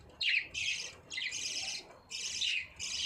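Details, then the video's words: Budgie song from 9 June 2023: four dense bursts of high, buzzy, chattering warble, each about half a second long, with short pauses between. "Budgies singing | budgies sounds | budgies chirping sounds"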